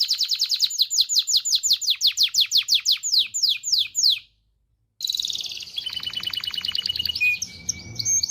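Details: Canary song meant to stimulate mating: a string of downslurred whistles about three per second, a short silence, then a buzzy trill ending in a flat whistled note.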